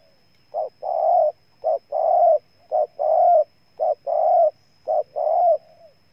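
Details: Spotted dove in Ninh Thuận province, Vietnam, repeating a steady cooing pattern: a short clipped note then a long breathy coo, about once a second, five times in a row. The surroundings are quiet.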